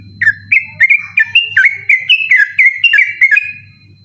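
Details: Sooty-headed bulbul in persistent nighttime 'ropel' song, kept as a tutor for other birds: about a dozen quick, bright whistled notes in fast succession, each sharply slurred, over a low electrical hum.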